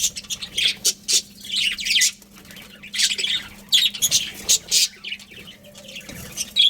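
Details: Colony of budgerigars giving scattered buzzy chirps and short squawky bursts, with quieter stretches between calls and a faint low hum beneath.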